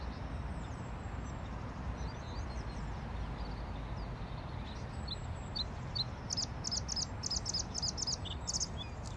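Bluethroat singing high, thin notes, ending in a quick run of about seven ringing chips, over a steady low rumble of wind or distant traffic.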